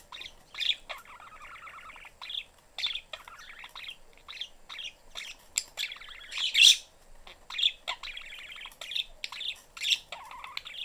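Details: Pet budgerigar family of father, mother and young in a cage with the door open, the young one seeking attention: continuous scratchy warbling chatter, rapid buzzy trills broken by sharp high chirps, steady and busy throughout.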